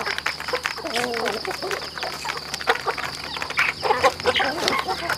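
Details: Rural chickens kept at home on a farm, a flock clucking together in short, overlapping harmonic calls, some rising and falling, with a steady high whine running underneath.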